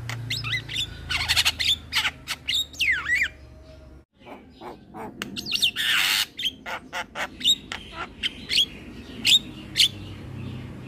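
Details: Young male black-winged starling, a caged songster that sings diligently, pours out crackling chatter and rasping squawks, breaks off briefly, then resumes with a noisy burst and bright short whistles.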